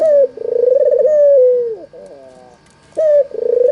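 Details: Barbary dove, albino white with red eyes, serving as a lure for reluctant doves: a long vibrating purr that dips at its close, a pause of soft notes, then a sharp high opener into the next coo.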